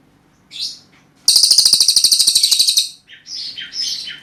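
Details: Cililin, a prized songbird in full song: a brief high chirp, then a rapid loud trill of sharp repeated notes for about 1.5 seconds, followed by varied high twittering phrases.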